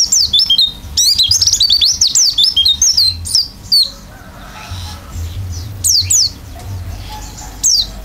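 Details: Isian song from a hard-singing oriental white-eye with open beak: a fast run of bright, high slurred whistles for about four seconds, then sparse single notes over low background hum.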